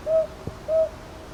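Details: Two short, level hoots from a northern boobook, about half a second apart, with a faint click between them; recorded 22 May 2023 at Ichijoji in Kyoto's Sakyo Ward, Japan, using a TASCAM DR-100MKIII.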